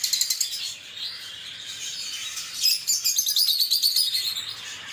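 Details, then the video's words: Lovebirds chirping and twittering in high, rasping notes, a quick burst at the start, a steadier chatter, then a brighter run of rapid, pulsed chirps in the second half. "LoveBird Singing & Chirping Sounds"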